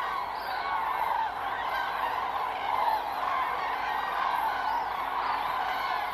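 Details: A big September 2023 assembly of common cranes at the Milicz Ponds in Poland. Many birds trumpet at once, giving a steady wall of resonant, rattling calls with occasional clearer rising notes above the crowd.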